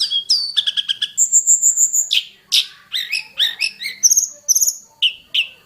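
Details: Hill prinia from the mountain forest in the wild, singing a varied medley of fill-in phrases: quick repeated notes, a high trill, sweeping buzzy notes and paired high chips, about two per second.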